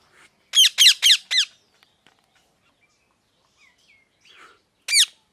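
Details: Four rapid, scratchy, descending squawks from a pet parrot, followed by a quiet stretch with a few faint short notes, then a single loud harsh squawk at the end.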